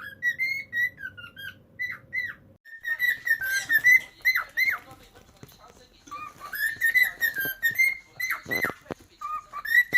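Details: Pet cockatiels whistle strings of rising and falling notes, with a pause partway through. Other sounds blend into the whistling, and a low hum fades after the first couple of seconds.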